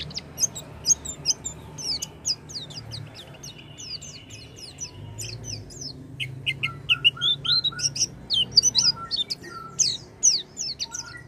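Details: Oriental white-eye song for coaxing a silent white-eye: long dense chatter of high chirps and slurred whistles, with a steady lower whistled note joining midway, busy and continuous.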